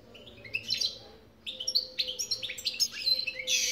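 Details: Twittering song of a European goldfinch: after a soft start and a short gap, rapid bright chirps, metallic tinkling notes and a buzzy trill at the close pour out in an unbroken stream.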